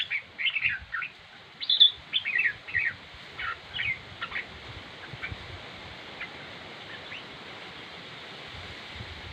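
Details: Red-whiskered bulbul song: a run of lively, bubbling whistled notes in the first four seconds, then fading to a few faint single chirps against quiet background hiss.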